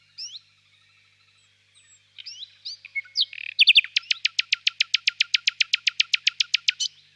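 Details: A nightingale sings in a birch grove on a warm spring evening: scattered soft whistles and chirps build into a loud, rapid, machine-like series of hard repeated notes lasting over three seconds.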